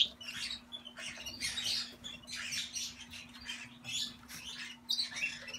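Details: A pair of lutino galahs giving harsh, scratchy screeches in quick bursts, about one or two each second, over a steady low electrical hum.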